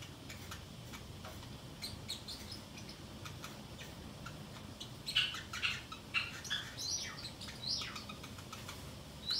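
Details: Home-alone pet Pacific parrotlet murmuring to itself: quiet clicks and rustles at first, then a burst of louder sharp chirps and thin squeaky whistles in the second half, over soft indoor hum.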